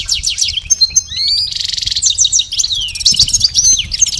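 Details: Continuous goldfinch song from a pet bird being trained, with fast liquid twitters, a buzzy rattling stretch in the middle, and long slurred whistles swooping down and up.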